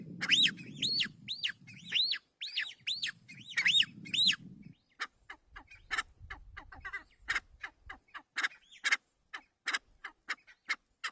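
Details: Kalij pheasant calling: a run of arched, chirped notes repeated about three times a second over a low rumbling whirr, then a looser series of sharp, clicking chips and short squeaks.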